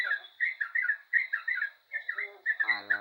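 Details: Yellow-vented bulbul in lively, energetic song, giving quick bursts of bubbly warbled notes in short groups with brief gaps, a constant thin high whine behind, and a low buzzy sound entering at the end.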